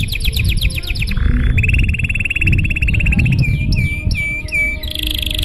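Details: Long, fancy canary song meant to set other canaries singing: a rapid high rattle, then a steady fast trill, then sharp down-slurred whistles and a rising buzzy phrase, with low background rumble throughout.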